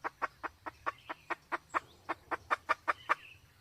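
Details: Red junglefowl from Sumatra, pairing a male with a female in heat, used to attract wild birds: about fourteen sharp, even clucks, each roughly a fifth of a second apart, over a quiet background.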